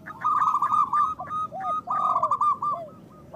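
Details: Loud-voiced local zebra dove, a recording meant to lure doves into traps and prompt quiet birds to call, giving quick rattling coo phrases of clipped beats broken by soft, falling, slurred notes.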